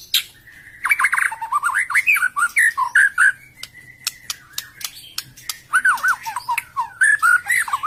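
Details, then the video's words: Lure song of a White-rumped shama, meant to prompt sluggish, stalled or post-moult shamas to sing: rich, lower, fluty warbling with looping up-and-down whistles, broken by sharp clicks and a sustained steady note. "suara burung murai batu ,pancingan murai batu males bunyi, macet, beres mabung"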